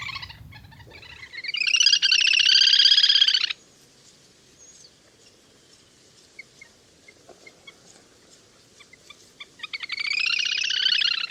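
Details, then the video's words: Hunting lure of lesser whistling duck: a long burst of rapid high whistled twittering lasting under two seconds, a long near-silent pause with faint ticks, then another whistled burst. "Tiếng Chim Le Le Hôi"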